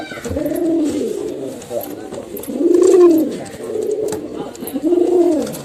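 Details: Male and female pigeons calling together, deep rounded coos rising and falling, about four phrases roughly every second and a half, with faint clicks and indoor room sound.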